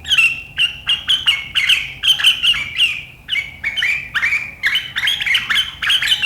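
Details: Sooty-headed bulbul on 7 April 2023 chattering in the sharp riwikan manner said to trigger rivals; an unbroken stream of rasping notes and clear whistles, several phrases sliding downward, growing denser toward the end.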